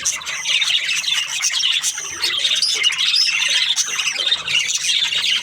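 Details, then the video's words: A chorus of budgies, Australian parrots, keeps up a shrill, unbroken stream of chirps, twitters and rasping squawks, many birds calling at once throughout. "Australian parrot Budgies chirping sounds"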